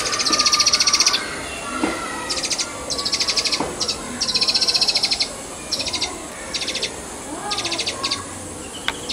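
Indian pied myna begging: harsh, buzzy, rapidly pulsed rasps in bursts about a second long, repeated every second or two, with a few softer whistles behind.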